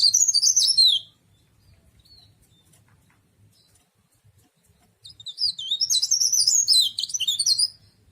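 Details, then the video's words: Cikrak daun, also called tralis, a leaf warbler kept as an ornamental bird, sings a high, rapid twittering phrase of about one second, then a longer burst of sharp, jumbled chirps after a quiet gap. "Burung cikrak daun atau burung tralis"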